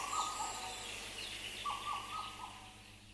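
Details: Black parrot song with other birds around, including a Madagascar cuckoo: flat whistled phrases broken by brief downslurred notes, one at the start and another after a pause, set against a busy chorus of birds.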